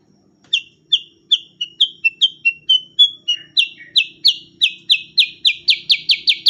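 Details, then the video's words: Cucak kurincang, a songbird related to bulbuls, starts with spaced high chirps that speed into a rapid, steady volley of sharp, bright downslurred notes, growing louder toward the end; otherwise quiet. "burung cucak kurincang super gacor untuk masteran terbaik"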